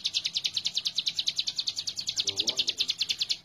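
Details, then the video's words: Hill prinia in full song, recorded as a master for training birds: fast, regular high-pitched chipping with a faint low voice-like sound midway, the series fading out at the end. "Ciblek gunung super gacor"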